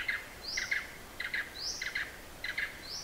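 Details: Blue-eared barbet recorded in Hala-Bala Wildlife Sanctuary in southernmost Thailand, giving quick doubled mid-pitched notes in a steady series, each pair followed by a thin upslurred whistle, against a quiet forest hiss.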